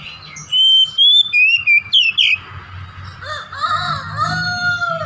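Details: Oriental magpie-robin song meant to trigger a pet bird's repertoire: a quick series of loud fluty whistled notes, then a lower wavering, warbling passage with a soft hum beneath.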